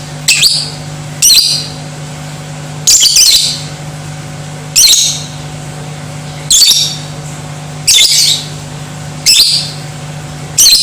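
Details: Lovebird chatter meant to trigger aggression and singing in other lovebirds: short, shrill, raspy bursts repeated irregularly about every one to two seconds, with a constant low background hum.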